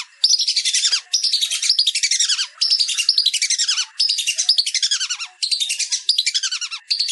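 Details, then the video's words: Whistling duck (belibis) master recording: dense bursts of shrill, falling whistles about once a second, the notes crowding and overlapping as if from several birds. "Suara Masteran Belibis"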